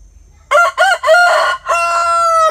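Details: Rooster crowing: a few short, rich harmonic notes in quick succession, then a long, steady, drawn-out final note lasting about a second. The background is quiet.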